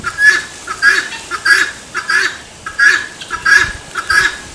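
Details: Helmeted guineafowl giving its 'tô fraco' call: harsh, grating two-part cries repeated about one and a half times per second in a steady rhythm, with a faint low clucking underneath.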